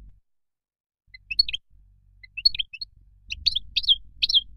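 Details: Moroccan goldfinch producing sparse, high chirps and brief twittered notes in scattered groups, quieter at first and sharper toward the end, with low background rumble.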